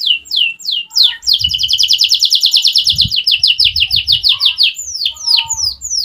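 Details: Canary in song: descending whistled sweeps lead into a long rapid trill of evenly repeated notes, then more slurred downward whistles; soft low thumps underneath.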